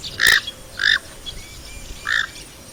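A Knob-billed duck gives three short, harsh, nasal squawks spaced irregularly over about two seconds. Faint thin whistles sound in the quiet background.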